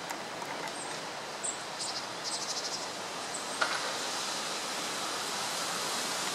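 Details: Japanese waxwings (Bombycilla japonica) on 28 February 2014 give thin, very high, lisping trills in short scattered bursts, faint over a steady background hiss.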